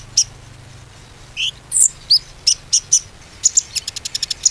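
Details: Konin song used as a lure to get silent birds singing again: sharp high chirps and short upslurred whistles, then a quickening run of thin, evenly spaced ticks near the end.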